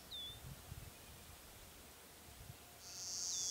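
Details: A singing male Clay-colored Sparrow at Glacial Ridge NWR, Minnesota, on 18 May 2010, gives a flat, insect-like buzz near the end after a faint thin note, over low rumbling background noise.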